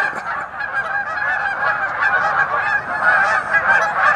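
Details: A flock of geese making noise together: dense, overlapping nasal honks pour out continuously with no gaps, many birds calling at once in a loud, steady clamour.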